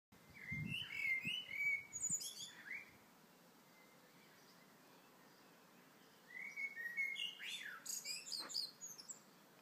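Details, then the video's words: Blackbird singing in the morning: two fluted, warbled phrases with low mellow notes rising into high squeaky twitters, separated by a few seconds of quiet, with a couple of soft thumps near the start. "Blackbird sings in the morning"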